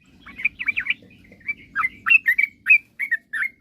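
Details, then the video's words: Vigorous yellow-vented bulbul song intended to provoke rivals: a quick tangle of slurred notes followed by a series of separate, bright, downward-bending chirps about every quarter second. "suara kicauan trucukan gacor..paling jago memancing lawan agar cepat bunyi"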